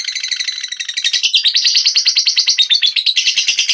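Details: High, buzzy chatter from a blue cobalt lovebird, with fast pulsed chirps tumbling one after another, rising slightly in pitch partway through and continuing without a break.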